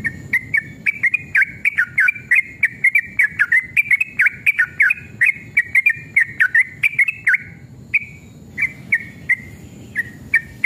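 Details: Sooty-headed bulbul, a male in vigorous, aggressive fighting mood, giving a long rapid song meant to lure other bulbuls into singing: dense run of short bubbly whistled phrases, each dipping and rising, almost without pause, then sparser notes near the end.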